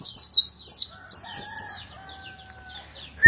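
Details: Oriental white-eye singing energetically: quick high slurred chirps in short bursts, then a pause filled by two long, faint, flat whistled tones, and a sharp sound at the very end.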